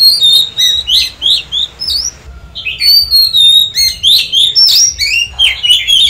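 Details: Oriental magpie-robin singing as daily voice training: a rich run of clear whistled notes, sliding phrases and sharp chirps, mostly high-pitched, with a short pause near the middle before the varied phrases resume.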